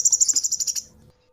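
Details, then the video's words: Cinereous tit master recording for training captive birds: a quick burst of about ten sharp, very high notes in under a second, fading out, then quiet with a faint steady hum. "suara masteran burung gelatik batu"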